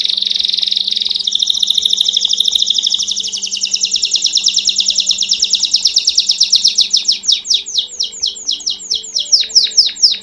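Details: Belgian canary performing pure campainha (bell) style song: a shifting buzzy trill that rises, holds as a fast rolling run, then breaks into distinct swooping whistled notes toward the end.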